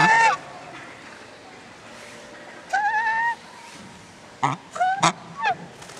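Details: Swan goose pair, the male giving high calls and the female low calls, honking loudly and nasally: a short honk, a longer rising honk, then a quick burst of three or four more, over a low background hum.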